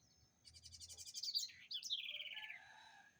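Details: House wren (garrincha, roxinol) noted for its distinctive singing gives a single phrase: a quick series of high pulsed notes, a sharp upward flick, then a descending buzzy rattle fading out, with a faint low tone beneath.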